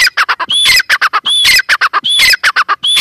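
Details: Close female teetar (grey francolin) giving repeated grating squawks in quick clusters, each cluster topped by a clear rising whistle, about four phrases in a hurried, uneven rhythm.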